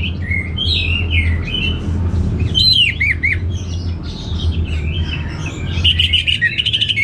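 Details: Orange-headed thrush song of jumbled whistles and buzzy slurs, with a sharp cluster of steep up-and-down notes midway and a quick rattling series near the end; low humming background.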